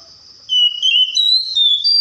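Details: Oriental magpie-robin mimicking other birds: long, pure, sustained whistles held at steady pitches, stepping upward in several stages.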